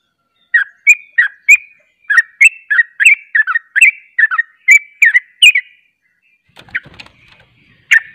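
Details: Rapid ropel song of a sooty-headed bulbul, another of its kind reportedly answering: a steady string of about fifteen clipped, slurred chirps in quick succession, then a short pause, a faint rustle and one final sharp note.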